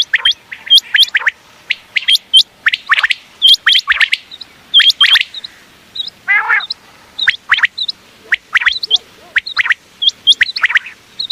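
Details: Quail calling, offered as a night-time hunting sound, with steady runs of high upward-hooked notes in short groups, interspersed with lower chirps and one rasping burst.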